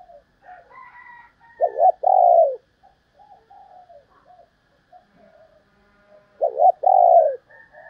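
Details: Female spotted dove calling twice, about five seconds apart. Each phrase is a quick hiccuping double note and then a long, mellow, falling coo. Soft faint chirps and murmurs fill the gaps.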